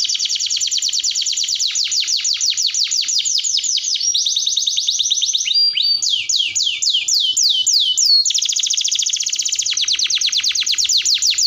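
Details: Canary singing a long 'masteran' song: continuous high trills alternating between rapid buzzy rolls and slower swooping repeated notes, loud and clean with almost no background sound.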